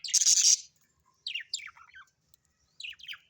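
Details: Pet budgerigar indoors: a loud harsh screech opening, then a few descending squeaky chirps in small pairs.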